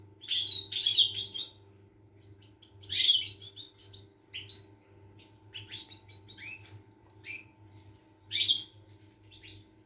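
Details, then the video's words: European goldfinch in song on 25 August 2021, giving spaced bursts of tinkling, chattering notes and short rising whistles, loud phrases roughly every two to three seconds, with a low continuous hum in the background. "Chardonneret , El jilguero , bird , cardellino pezzato , GOLDFINCH SONG"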